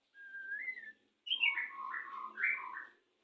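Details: White-rumped shama courting before mating in a breeding setup: one long rising whistle, a pause, then a tumbling burst of rich up-and-down warbled notes; faint low background noise.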